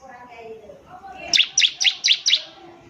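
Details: Bar-winged prinia singing, recorded as tutoring song for young birds: five piercing high chirps evenly spaced about a quarter second apart, after soft background voices.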